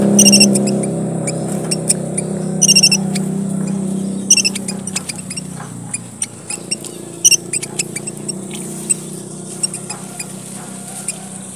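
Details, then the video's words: Red munia, one of the smallest birds of Papua, Indonesia, used as a lure: very high, thin squeaky bursts of stacked notes every one to two seconds with scattered sharp ticks, over a low engine-like hum that fades midway. "suara gocar, burung emprit merah papua"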